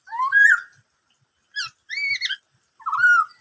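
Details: Black-throated laughingthrush song in the 'bắt cô trói cột' manner: a rising whistled slur, then a short high note and two rich warbled phrases, the last dipping lower; quiet background.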